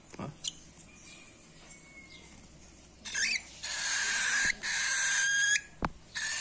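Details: Very hungry cockatiel chick begging while being hand-fed: after near-silence, long harsh rasping bursts run for about two and a half seconds, then a brief rasp near the end, with a faint thin whistle earlier.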